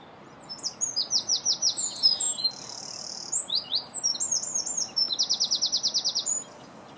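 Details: Feeding European greenfinch recorded in 2017, giving bright twittering phrases broken by a drawn-out buzzy wheeze, then a rapid even rattle of around fifteen pulses near the end.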